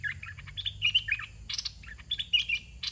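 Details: Red-whiskered bulbul in a cage with the 'dok taeng' singing style, set out as a decoy for young wild birds: rapid chattering, whistled notes in short bursts, mixed with harsher chirps.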